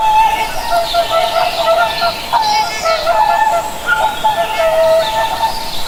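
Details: Chorus of swans, nasal trumpeting notes overlapping continuously, occasional higher rising whoops standing out from the steady honking.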